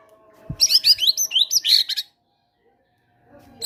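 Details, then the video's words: Fighter-type White-rumped shama, kept caged, singing gelatik batu material meant to draw silent birds into song: one quick phrase of high, bright, looping whistles and twitters lasting about one and a half seconds, followed by quiet. "PANCINGAN MURAI BATU FIGHTER GACOR BONGKAR MATERI GELATIK BATU"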